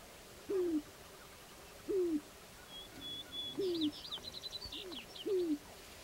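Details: Sharp-tailed grouse on a Northern Wisconsin lek in late April 2021, displaying: four separate low downward-sliding hoots spaced about one and a half seconds apart, with a faint high chirping bird in the background.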